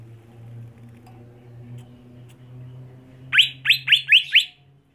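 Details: Captive greater green leafbird from Indonesia: after a few seconds of low background hum, five quick, sharp, downslurred whistled notes burst out in a fast even run before stopping.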